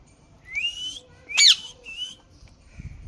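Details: ['Green parrot making clear whistled notes that slide upward, with one sharp squawk in the middle and faint low background noise.']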